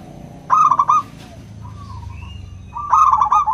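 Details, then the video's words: Local zebra dove in crystal voice, used as a singing lure for reluctant doves: two bright rolling trilled coo phrases separated by a soft thin note and a quiet gap, low hum throughout. "Pancingan PERKUTUT LOKAL suara KRISTAL, untuk memancing perkutut susah bunyi"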